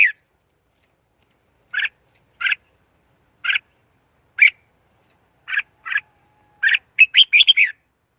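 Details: Red-whiskered bulbul giving short, clipped double notes spaced about a second apart, then a quick tumbling run of bright warbled notes near the end; no other sounds.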